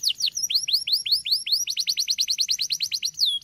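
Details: Canary giving a lively stream of short, rising chirps in rapid succession, quickening into an even faster rattle of repeated notes before a final downward whistle.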